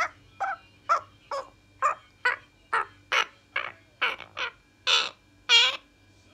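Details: A francolin calling in a series of harsh, broadband notes, roughly a dozen in six seconds at uneven spacing, the final two louder and higher; a faint steady low hum runs underneath.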